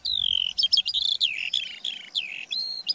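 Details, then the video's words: A Eurasian skylark sings, pouring out a fast, unbroken stream of high warbled trills, slurred whistles and buzzy chirps with barely a pause. "Skylark Singing"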